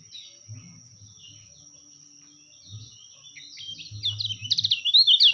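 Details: Kecial kuning white-eye song used as a master recording for training and luring birds; quiet at first, then a rapid burst of high, jumbled twittering notes that grows louder toward the end, over a steady high whine and low thumps.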